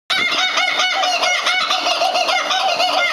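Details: A family of kookaburras laughing together in a loud, raucous chorus of overlapping cackles and hoots that runs without a break.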